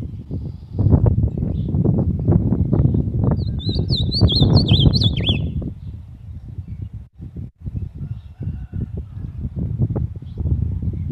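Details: Ultramarine grosbeak (azulão), a kept bird, delivers one short warbling phrase of quick high up-and-down notes, partly buried under loud, continuous low rumbling noise.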